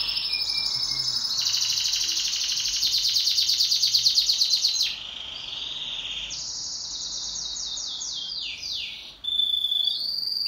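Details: Pet canary singing in duet: fast buzzy trills at first, then a softer stretch of rapid repeated notes, followed by quick downward-sweeping chirps and a sharp high phrase near the end.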